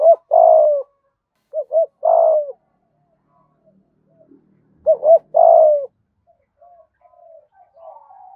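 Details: Spotted dove cooing in the 'giọng thổ' thúc gù style used to draw wild doves in: low hollow phrases of two quick notes and a long falling coo, repeated twice with a pause, then faint softer murmurs.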